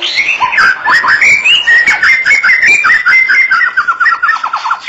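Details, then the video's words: Loud, close White-rumped shama song with clear whistled notes that slide up and down, leading into a fast, evenly repeated descending trill at the end. "Beginilah kicauan MURAI BATU SUPER"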